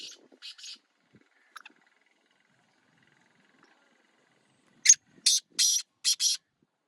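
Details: Kala teetar, the black francolin, after a few soft scratchy notes, bursts into a loud series of five grating, buzzy rasps close together near the end.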